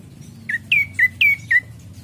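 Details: Ashy prinia song for luring birds into singing: five crisp, clipped chirps in quick succession, alternating slightly higher and lower notes.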